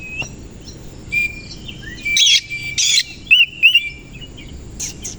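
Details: Koci-type Oriental magpie-robin in energetic morning song, tail spread; harsh rasping bursts mixed with slurred whistled notes and a sustained thin whistle, with short pauses between phrases.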